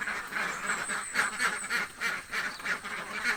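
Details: Hungry village ducks give distinct, throaty quacks in quick succession, about three or four each second, each a short nasal burst.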